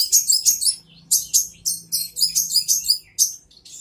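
A brown-throated sunbird gives quick, very high, sharp chirping notes, often paired, about three a second, with short gaps between bursts.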